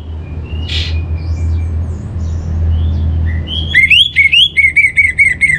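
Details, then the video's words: Orange-headed thrush singing as a lure for kept birds. Soft background whistles give way to a loud burst of bright repeated whistled notes, rising then steady, about seven in quick succession. "Pancingan Burung ANIS MERAH Agar Gacor"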